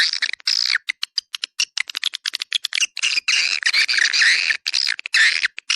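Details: Swiftlets twittering, a sound meant to attract more swiftlets: near-continuous buzzy, scratchy chatter broken by rapid clicks, shrill and dense with barely a pause.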